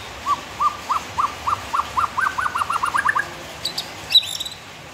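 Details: White-rumped shama delivering a series of about fourteen short upslurred whistles that speed up and climb slightly, ending with a few sharp high notes and a downward flick, against faint background hiss.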